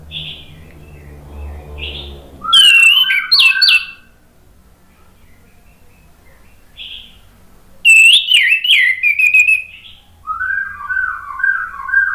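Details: Orange-headed thrush song, used as a lure to prompt a stalled bird to sing: loud, rich whistled phrases with rapid slurred notes in bursts, separated by quiet gaps; a man's speech and low hum come before the first burst.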